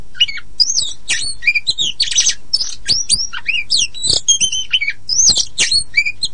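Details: Energetic song of a poci-type Oriental magpie-robin, played to stir silent or untrained magpie-robins: fast mix of arching whistles, sharp chips and a rasping burst, continuous and highly varied.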